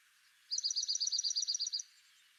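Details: Red-backed Dark-eyed Junco (Junco hyemalis dorsalis, a dark-eyed junco subspecies) in southeastern Arizona's Madrean Sky Islands gives a fast, even trill of about a dozen high, bright notes at roughly ten per second, just over a second, against faint hiss.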